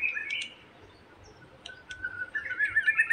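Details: Provocation phrases of a white-rumped shama, meant to rouse a bird into full song: a short warbled note opens, sparse sharp ticks follow, then a rapid run of bright whistled notes closes over faint hiss.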